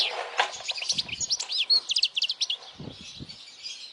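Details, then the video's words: European goldfinch singing for young goldfinches to learn; moderately loud twittering chirps and slurred notes over a hissy background with some low knocks, fading softer toward the end. "Jilguero cantando fuerte para memorización los jilgueros /Goldfinch singing the best chirping sounds"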